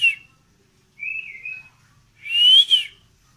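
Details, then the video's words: White-rumped shama of the Medan type, described as pushing its tail and singing nonstop: three short whistled phrases, the last a loud rising-then-falling sweep, separated by brief silences. "MURAI DORONG EKOR LANGSUNG NGEDUR"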